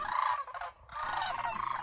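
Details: Cranes in Homer, Alaska, on September 9, 2023, restless before migration: two loud rolling, rattled calls from the flock, broken by a brief pause, with overlapping voices.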